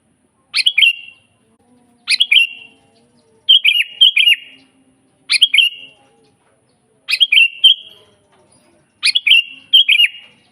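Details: Sooty-headed bulbul (kutilang) singing energetically, a natural wild recording used as a master for training kutilang that rarely sing and as a lure for wild birds: six short bubbly, liquid whistled phrases, each a quick rising-falling flourish, spaced about every one and a half seconds.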